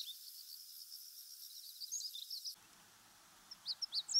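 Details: In Japan, a Meadow Bunting (Emberiza cioides), a bird of farmland, grassland and waterside, gives a few sharp, very high, thin call notes in quick succession near the end, after a stretch of steady high hiss.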